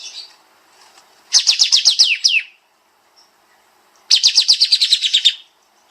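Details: Bulbul, locally kapas tembak, in a master recording for songbird training: two tight volleys of about ten fast, repeated, downward-slurred whistles, with a quiet gap between.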